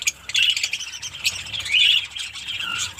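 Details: Fischer's lovebirds in a captive mini colony in Pakistan, a brief burst of high squeaky chirps and harsh chatter, swelling loudest near the end.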